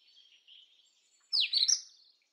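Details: Indian robin song: a faint, thin, hissy background gives way to a sudden, rich phrase of slurred high notes that sweep downward and then rise sharply.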